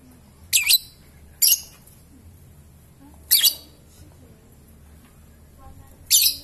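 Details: Lovebird, singing ngetik and ngekek, makes four shrill squawky chirps, high and short, irregularly spaced one to three seconds apart, over faint low hum.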